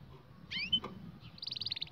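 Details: Canary song used for training young canaries: a brief rising double whistle, then a fast run of repeated high notes in the last half second, against a low background hum.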